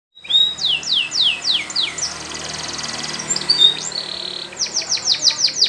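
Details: Canary song used for training young singers: a series of rapid downward-sweeping high notes, then a fast buzzy rattling roll, a few pure whistles and another burst of quick descending sweeps, over faint steady hiss.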